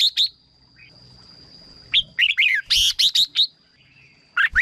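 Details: Red-whiskered bulbul singing, recording used to excite birds or as a decoy: lively phrases of loud, liquid chirps in quick bursts separated by pauses, over a constant thin high tone.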